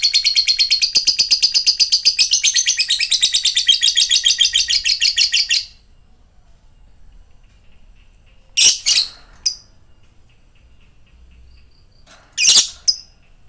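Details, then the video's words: Lovebird ngekek trill: rapid, shrill chattering notes pulsing steadily for about five seconds, then stopping, followed by near silence broken by a few short sharp chirps. "ngetik ngekek panjang jadikan Lovebird macet aktif ngekek lagi"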